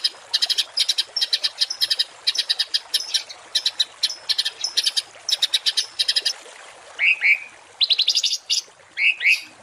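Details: Harsh 'tembakan kasar' songbird masteran for tutoring cage birds: several bursts of rapid, hard, high chips, followed near the end by lower slurred whistled notes alternating with short buzzy clusters.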